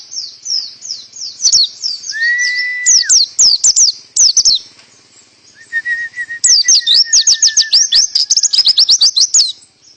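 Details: Caged canary delivering pleci-style full tembakan song: fast repeated high chips and rolling trills, one sustained flat whistle, then a long even run of sharp notes. Background is clear.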